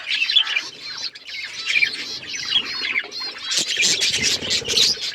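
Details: Pet budgerigars chirping together, a dense chatter of quick warbled and squeaky notes running without pause, with a louder, busier burst of sharp chirps in the last two seconds.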